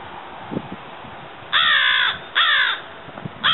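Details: Florida crow, a subspecies of American crow: three drawn-out, harsh, nasal caws, roughly one second apart, over a rumbling, noisy background.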